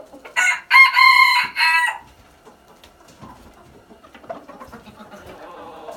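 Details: Red junglefowl crow at the start: a loud, rasping, broken crow of several pulses lasting about a second and a half, then fading to faint bird chatter and calls in the background.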